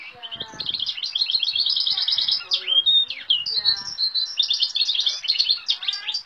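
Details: Canary-mule, a European goldfinch and Timbrado canary hybrid, singing a varied song said to include goldfinch, great tit, cirl bunting, nightingale, western rock nuthatch and woodlark sounds: fast high twittering trills and rolling phrases, continuous, with a short whistled slide midway.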